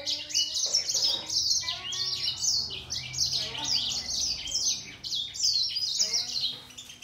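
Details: Singing duel of a grey singer finch and a green singer: nonstop high-pitched warbling of quick sweeping notes, tightly packed chirps with few pauses throughout.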